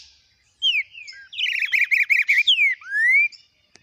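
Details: Green-winged saltator singing the Biro Biro com boi longo style in warm-up: a bright downslurred whistle, then a fast buzzy run of about eight clipped notes, a descending slur and a long rising whistle.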